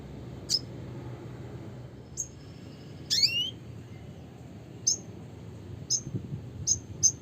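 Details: Red siskin (Spinus cucullatus) producing isolated high, piercing chip notes and one quick twittering flourish, spaced roughly a second apart against a quiet humming background.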